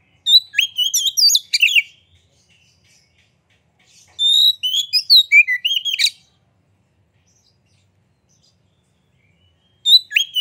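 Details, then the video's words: White-rumped shama singing as a lure for other birds: three bursts of rapid, varied whistled phrases, some with steep upward sweeps, separated by quiet gaps of several seconds. "Pancingan Suara Kacer Gacor Buka Ekor! Buat Kacer Lain Pasti Ikut Emosi Gacor Ngobra"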